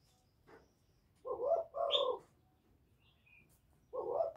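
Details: Spotted dove calling in the 'Thổ' voice style to provoke wild males, heard fairly softly: a short coo and a longer rolling coo, a gap, then another coo, over low background hum and a faint high chirp.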